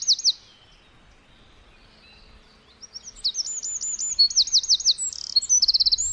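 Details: Tiny wren in woodland, a short high note, a pause, then a long rapid song of looping repeated notes and quick trills that speeds up into a fast buzzy rattle near the end.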